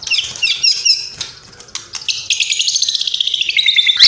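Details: Murai batu, the white-rumped shama, delivering rapid-fire bursts of its mimicked repertoire: chattering high notes, then a fast even series of clipped repeated elements ending in a sharp upward squeal.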